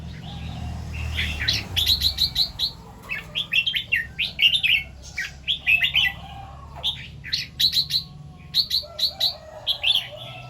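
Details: Red-whiskered bulbul morning song in the double 2-3 and rik styles: clusters of bright, liquid chirped phrases separated by short pauses. A low hum runs underneath.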